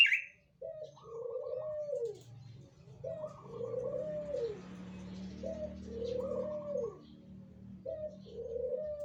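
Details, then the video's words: Spotted dove cooing, used as a lure to attract other doves: low, hollow coo phrases, each a short note followed by a longer drawn-out coo, repeated roughly every three seconds, with faint background rumble. "MANGGUNGAN BURUNG PUTAR PENGIKAT BURUNG PUTAR YANG LAIN PASTI BAKALAN IKUTAN"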